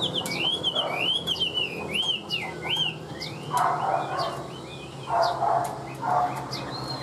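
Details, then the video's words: Caged Chinese hwamei singing a series of arching whistled notes about one per second, switching to lower shorter slurs, while a few lower, rougher bursts come in the background. "Siêu mỏ ra giọng rất đều - Họa mi đẹp hót hay"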